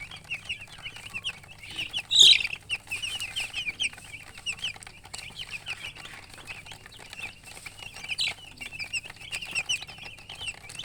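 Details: Just-born chickens chirping loudly: a steady stream of rapid, high, slightly downslurred peeps from several chicks, one sharper louder squeak early on, over a faint low hum.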